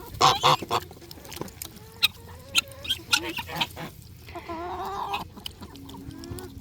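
Geese give loud, harsh honks in a rapid burst at the start, then scattered nasal calls and a wavering, quavering series, with other birds faintly behind.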